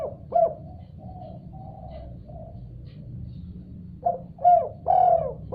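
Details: Spotted dove calling in response to another call: a sharp accented coo opens, soft drawn-out coos trail off, then a fresh burst of three strong, hollow coos closes the phrase.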